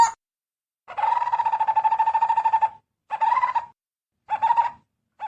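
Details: Barbet calling the flock to come and eat ripe fruit, giving a long, buzzy, hollow trill, then shorter bursts of the same tone separated by brief silences.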